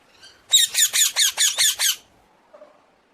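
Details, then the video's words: Common hill myna uttering a single run of seven fast, harsh, buzzy squawks lasting about a second and a half, followed by a faint low note. "Suara Burung Beo"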